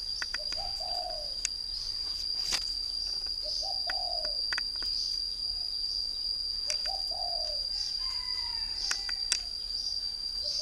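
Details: Northern Vietnam spotted dove kept in a cage as a three-year decoy, cooing in separate low, throaty phrases spaced a few seconds apart, with sharp clicks and a constant thin high whine behind.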